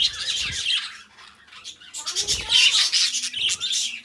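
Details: Pet budgies chattering together, meant as companionship for other caged budgies: dense scratchy warbling and chirps in rapid bursts, fading briefly mid-clip before resuming with clicks and squeaks.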